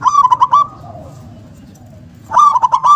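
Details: Local zebra dove in full song, with a big, punchy voice and a strong 'kung' ending: two bursts of rapid stuttered coos, a quieter rolling coo trailing between them, and a faint low rumble underneath.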